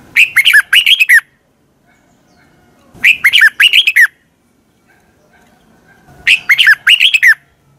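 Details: Red-whiskered bulbul morning song meant for training birds: three clear phrases of quick, lilting down-slurred whistles about every three seconds, each phrase around a second long, with silence between.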